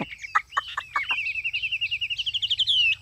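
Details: Chinese hwamei kept as a cage bird, singing in ngũ trường style: a few sharp clicks, then a long rapid trill of repeated whistled notes that gradually rises and ends in a bright slurred whistle.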